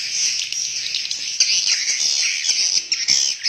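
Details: Swiftlets in a swiftlet house give sharp, high chirps and squeaky twitters over a constant background chorus, several individual calls popping out clearly.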